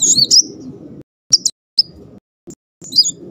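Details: Muncang sunbird singing in the tembakan roll style while wagging its tail: short bursts of thin, very high, twisting whistles separated by pauses, over a low rumbling background.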